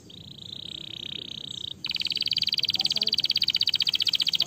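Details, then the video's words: Canary singing, played to stimulate lazy canaries to sing: a steady high trill, then a faster buzzy rolled trill of rapid repeated notes. "estimular o som dos canários preguiçosos"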